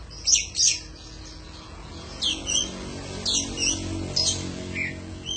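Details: Oriental magpie-robin song meant as a tutor recording for caged birds: paired sharp high notes, a pause, then spaced groups of whistled and scratchy phrases about once a second, over a faint background hum.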